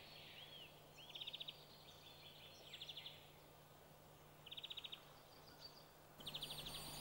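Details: Eurasian treecreeper in Sweden, singing while foraging: very high, thin notes and short rapid trills, about four bursts across seven seconds, over a steady low hum.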